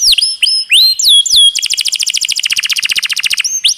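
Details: Canary tutor song featuring long rolls: looping whistled notes rising and falling, followed by a fast, even trill of clipped notes lasting about two seconds, then a final rising whistle.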